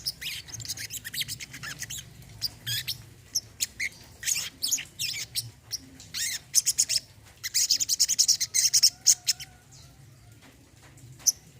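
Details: Olive-backed sunbird song used as therapy for birds that have stopped singing: dense bursts of very high, thin chirps and twittering trills, pausing briefly before a rapid run of sharp notes near the end.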